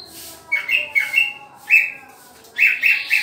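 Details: Green leafbird singing while being paired: short, flat whistled notes, some slurred downward, come in small clusters of two or three, with brief pauses between.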